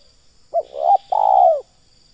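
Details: Spotted dove in ngeruk style, tied to lure trapping: one brief throaty note leads into a grating coo, a pause, then a long smooth coo sliding down at its close, over faint background hiss.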